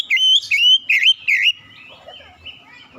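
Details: Magpie-robin song opening with four loud, dipping whistled notes in quick rhythm, followed by softer, fading warbles and faint background sounds.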